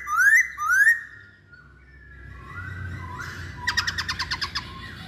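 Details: Masked laughingthrush song used as a lure to prompt others to sing: two loud rising whistles, then a soft drawn-out note and a quick burst of six short repeated notes.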